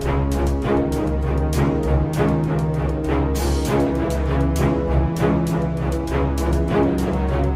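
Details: Loud theme music with heavy drum beats plays throughout, with no animal calls.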